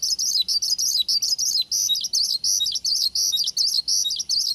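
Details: Horsfield's bush lark, a lure recording meant to make other bush larks answer, pours out a high, rapid chattering song in short, tightly packed bursts with brief pauses between; no other sounds intrude.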